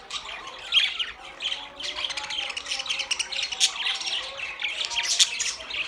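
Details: Budgies chattering: a continuous mix of scratchy warbles, squeaks and short chirps at varying loudness with no pauses.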